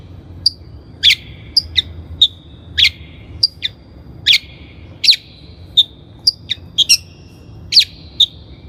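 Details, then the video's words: Long-tailed shrike, called cendet or bentet kelabu, recorded as a training lure: a lively series of sharp chips and short tonal notes, irregularly spaced, some doubled, over nine seconds. "PANCINGAN CENDET GACOR COCOK BUAT CENDET BAHAN | THE LONG - TAILED SHRIKE SOUND"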